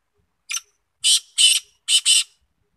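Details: Black francolin, known locally as kala teetar, calling in 2021: a short harsh note followed by two pairs of loud grating, rasping bursts, each about a quarter second long, in a quiet setting.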